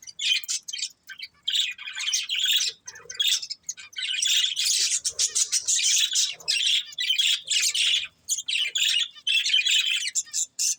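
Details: Several budgerigars give nearly continuous buzzy, squeaky chirping in high, dense bursts separated by tiny pauses, with little other sound.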